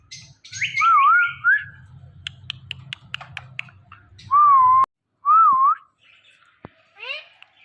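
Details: Rose-ringed parakeet (Psittacula krameri), a talking pet ringneck, mimics with wavering whistled syllables, nasal chatter and clicks ending in a rising squeak, amid its repeated "mithu" and meow imitations, over a low hum.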